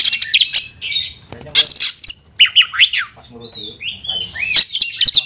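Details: Kacer (Oriental magpie-robin) calling a rival to fight: harsh scratchy bursts, quick downslurred whistled notes, then a few clear arched whistles.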